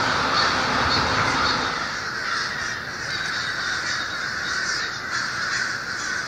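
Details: Before sunrise in winter, a communal roost of over 1500 American and Fish Crows at Lawrence, Massachusetts, wakes noisily. Thick chorus of rough caws, loudest at first then easing slightly, with sharper individual calls popping out.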